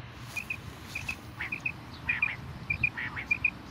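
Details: Repeated crisp double whistles of a singing common quail, six evenly spaced pairs, with a few softer rustling or chirping sounds between them and a low steady background hum.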